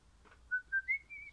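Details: Pennant orange crimson rosella singing three clear rising whistles, each a little higher than the one before, followed by a softer held note.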